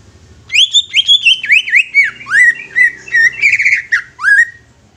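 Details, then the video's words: Young greater green leafbird singing to stimulate other leafbirds, a continuous four-second stream of loud, varied whistles, high notes dropping into lower swoops and upward slurs, delivered in fast succession. "CUCAK IJO MUDA INI COCOK UNTUK PANCINGAN CUCAK IJO BAKALAN"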